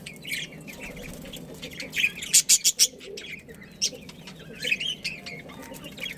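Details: Pet budgerigars, a breeding pair, give sharp high chirps, scattered at first, then a quick burst of five loud notes midway, followed by looser twittering over faint background hum.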